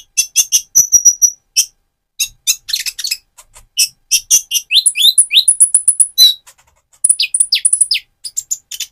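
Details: Van Hasselt's sunbird in speckled plumage turning metallic, singing energetically to excite another bird: long stream of very high sharp chirps, thin whistles and short downslurred notes, nearly continuous.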